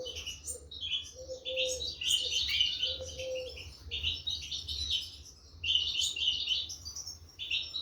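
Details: Goldfinch chicks being fed, 2023; fairly soft bursts of high buzzy chirping in groups, with low drawn-out humming tones repeated in the background.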